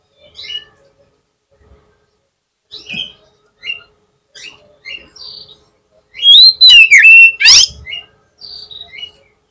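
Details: Oriental magpie-robin lure song for drawing a quick reply from a rival: soft, spaced chirps, then a loud run of piercing, slurred whistles lasting about a second and a half, followed by quieter notes.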